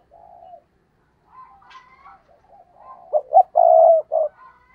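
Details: Spotted dove used as a decoy, cooing in the stuttering gù cà lăm style to lure rivals: quiet low coos and brief soft notes build into stuttered hoots and a long, loud sustained coo.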